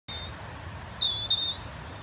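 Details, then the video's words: A robin marking out its territory gives thin, high, sweet whistled notes in two brief phrases, one near the start and a longer one after a pause, over a soft outdoor hush. "Robin Bird Singing"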